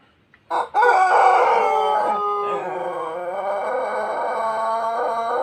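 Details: Pelung chicken from Plered, Purwakarta, crowing loudly. It begins with a sharp, brief attack, then becomes a long, harmonic, gently wavering note that carries on for nearly five seconds without a break.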